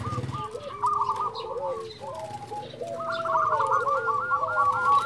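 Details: Zebra dove, a local lure bird for stimulating breeding urge in others, giving overlapping cooing lines that build into a long, evenly pulsed series of rolling coos in the second half.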